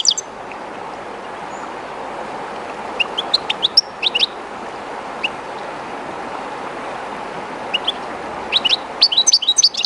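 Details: A captive goldfinch, somewhat shy in an unfamiliar spot beside the Jerte river, sings short bursts of bright, tinkling twitters, high and rapid, over the steady rush of flowing water.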